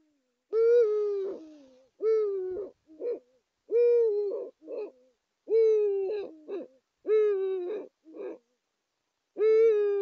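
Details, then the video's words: Male and female Eurasian eagle-owls (Bubo bubo) courting at their nest site in Saxony, Germany, January 2022: long, mellow hoots, each slightly falling and about a second long, repeated roughly every 1.5 seconds and each followed by short clipped notes. "Uhu Männchen und Weibchen bei der Horstbalz"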